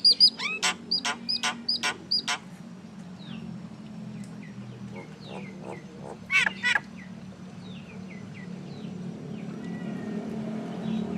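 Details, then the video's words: Common myna opening with a loud series of harsh, repeated, nasal notes, about one every third of a second, then a brief pair later and faint squeaks amid low hum. "Mynah Bird Acridotheres tristis, Little Mynah Bird making Noise"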